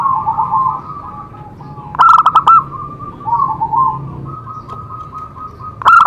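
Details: Zebra dove singing, used to stimulate other doves to sing: soft trilled coos broken by a loud, harsh stuttering burst around two seconds and another at the very end.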